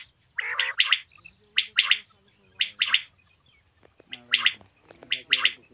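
A male common quail gives short, sharp liquid phrases of two or three quick notes, repeated about once a second, with faint low murmuring underneath.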